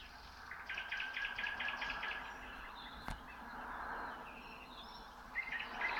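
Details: Common nightingale in the Moscow region of Russia at 3 a.m., 27 May 2018, delivering a steady run of about eight repeated piping notes, then quieter warbling, with other birds and one sharp click.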